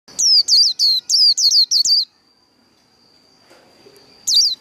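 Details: Japanese white-eye singing its Vietnamese líu đấu fighting song, used to fire up wild-caught birds: a fast run of about eight high, sharply down-slurred chirps, then a faint steady whine and one more chirp at the end.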